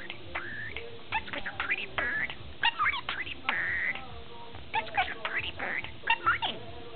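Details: Pet male budgerigar, ten months old, chatting rapidly in a string of varied short warbled notes, squeaks and rising and falling whistles, with brief pauses between bursts, indoors with low background hum.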